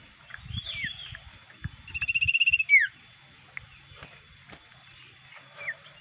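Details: Common iora, a lively singer suited for use as a lure bird, sings a looping whistle, then a quick pulsed trill ending in a sharp downslurred note; faint clicks and low rumble.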